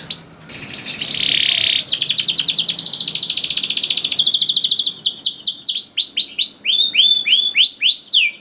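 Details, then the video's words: Canary singing meant to make juvenile canaries start singing: a short harsh roll, then a long even rattling trill of rapid pulses, followed by repeated falling and rising chirped notes. "KENARI GACOR DOR NGEDUR NGOTOT CUIT CUIT NGEROL AMPUH PANCINGAN KENARI PAUD"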